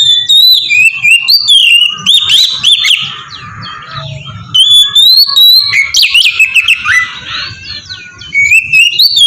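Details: Oriental magpie-robin in full loud song, used as a lure to provoke other magpie-robins into singing: a continuous torrent of high varied whistles, trills and scratchy notes, fast changing phrases with little pause.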